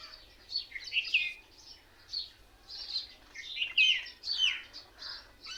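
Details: A crowd of mynas gathered in a single tree gives overlapping squeaky chirps and short whistled notes in irregular bursts, busy chatter that the recordist hears as mocking other birds and laughing.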